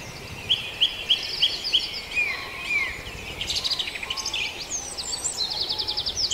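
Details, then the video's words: Farndale dawn chorus in which one bird gives five clear upswept whistles about a third of a second apart, then slurred notes, followed by dense, rapidly pulsed trilling from other birds. "Dawn Chorus"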